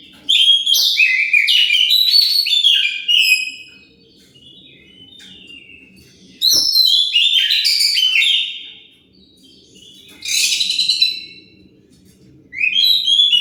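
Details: Lure song of an Oriental magpie-robin, meant to provoke other birds into replying: three dense bursts of loud, tumbling whistles and buzzy notes separated by short pauses, a fourth beginning at the end, faint low hum beneath.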